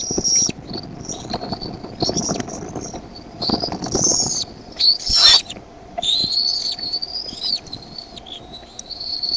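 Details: Decorah bald eaglets begging on 13 May 2015 around 6:35 pm as the mother arrives with food, one eaglet spreading its wings; insistent high, thin whistles and chittering peeps, rising and falling, repeated almost without pause over soft rustling.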